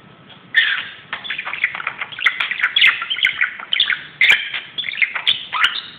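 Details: Indoor budgerigar going crazy on a closet, giving a steady stream of scratchy chattering chirps and squeaky notes with occasional sharp clicks, starting after a half-second pause.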